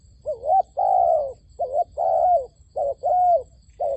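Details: Soft, deep cooing of a dove used to lure wild doves for trapping, delivered as alternating short curved notes and longer level coos in quick succession, background otherwise quiet.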